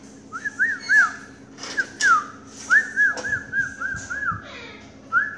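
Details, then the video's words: Pet Quaker parakeet calling for its owner, who speaks to it nearby; a run of short whistled notes that rise and fall, about ten within five seconds, with soft room hum behind. "Quaker parakeet ...calling mommy"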